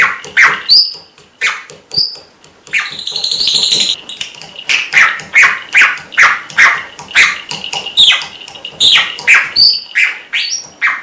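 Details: Pet red-rumped parrot imitating a small dog next door that keeps barking, giving rapid runs of short, harsh bark-like yelps, about two or three per second, mixed with brief high whistles and a sustained buzzy passage.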